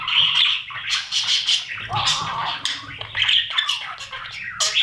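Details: Breeding budgerigars: chicks fed in the nest box by their parents. Continuous scratchy, buzzy chatter with rapid clicking pulses and a lower wavering squawk midway, from a camera inside the box.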